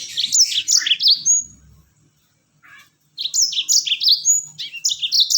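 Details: Yellow-fronted canary song used as a lure to make other birds sing: rapid bright chirping phrases of repeated downslurred notes, with a short pause mid-recording before the twittering resumes.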